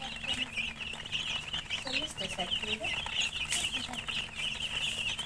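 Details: Many chicken chicks (murgi) chirping together: dense, overlapping high peeps sounding almost constantly, with lower chatter and human voices underneath.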